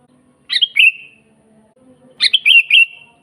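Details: Lively sooty-headed bulbul song, natural and without fill-ins, for training other bulbuls and luring wild birds: two bright, bubbling phrases with a sharp start trailing off in a level whistle, about 1.7 seconds apart; quiet background hum.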